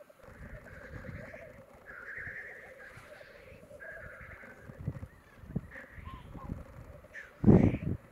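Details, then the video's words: Black grouse at a lek in 2022 give a continuous low, dove-like bubbling chorus broken by harsh hissing sneezes, with a loud thump or flutter near the end. "Black grouse Lek"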